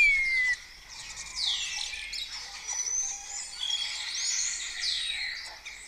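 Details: Colony of starlings at first light in Cabañeros National Park, Spain, competing with mimicked songs; dense overlapping whistles, a clear falling whistle at the start, then a steady chorus of chirps, squeaks and sweeping whistled notes.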